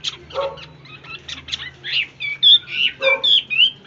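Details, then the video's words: Tame hwamei in ôm cóng song: a jumble of chattering notes gives way to loud, clear whistled phrases, some rising and some falling, over a low background hum. "ÔM CÓNG ĐỈNH CAO"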